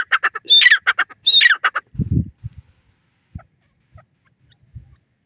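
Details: Wild francolin, called Dakhni Teetar, giving a brief run of loud, scratchy, grating calls over the first two seconds, then falling silent except for a few soft low thumps.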